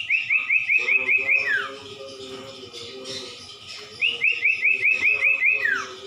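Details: Masteran song of the common iora, locally cumpon or sirtu: two bursts of eight or nine quick, bright, upslurred whistles, each finishing in a long falling slur, separated by a quieter gap with soft low tones.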